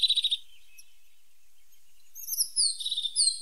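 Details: A short buzzy trill, a silent pause, then a run of high sliding whistles and twitters from a tit named as the pointed or sharp-nosed tit.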